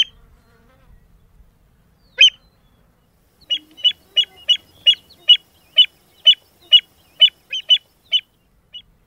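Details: American avocet feeding on the Albany mudflats on 16 October 2013 gives a string of about fifteen short, sharp, high 'kleek' notes, roughly two or three a second, against a quiet background.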